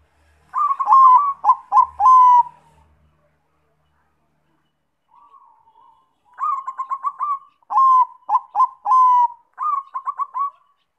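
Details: Zebra dove singing as a lure for other doves: two bursts of quick, bubbling cooing notes separated by several seconds of silence, each phrase ending in a longer drawn-out coo.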